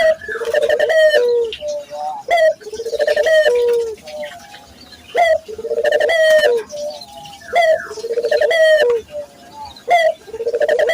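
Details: Barbary dove, local bird, recorded as a lure to train other local doves to call eagerly; each phrase opens with a short sharp rising note, then a long rolling, pulsing coo, repeated about every two seconds.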